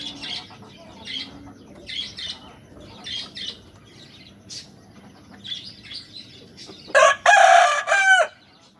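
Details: Rooster crowing, said to show territory to other males and attract females. Soft short chirps repeat for seven seconds, then a loud harsh harmonic crow in three joined parts closes the recording.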